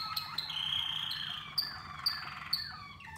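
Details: Caged Waterslager canaries in song training, kept in combinations to develop melody, tone and tempo; long, clear whistled notes held high, then sharp bright chips repeated about every half second over a soft rolling trill.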